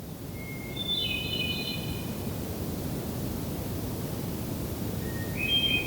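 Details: Hermit thrush near sunset on June 6, 2023, Allegheny National Forest, Pennsylvania, sings two phrases a few seconds apart, each a long clear opening whistle breaking into higher fluty notes, over steady rushing background.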